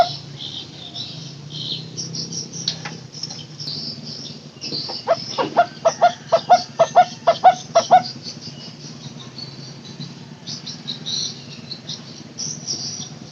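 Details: Barbet, locally takur teguk teguk, used to lure barbets that no longer call: a brief three-second run of hollow, evenly spaced tuk notes in the middle, surrounded by quiet with faint higher chirps.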